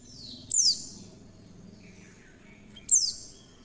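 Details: Oriental white-eye female call meant to draw other white-eyes into singing: two sharp, very high whistled notes, each dropping steeply in pitch, about two and a half seconds apart, with faint softer chirps between and a quiet low hum.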